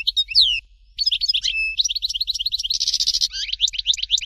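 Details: Continuous rich goldfinch song, Dalya style "Fort de L'eau": sweeping whistled notes, a held level tone, then rapid jingling twitters and a dense buzzy passage before fast chirping phrases.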